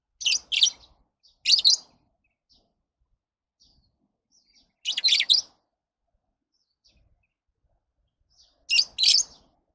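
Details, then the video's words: Lovebird calling in paired shrill, raspy chirps, each pair repeated at irregular intervals of a few seconds, with faint soft clicks between. "Love birds Sounds"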